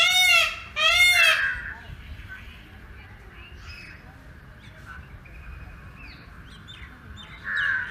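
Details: Dancing Indian peafowl gives a quick pair of loud, arching nasal calls at the start, then faint distant chirps and background noise, with another short loud note at the end.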